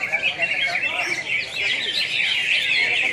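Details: Greater green leafbirds at a singing competition in Pontianak, West Kalimantan; high, tumbling warbles and chirps run together densely from several competing birds, with faint crowd noise.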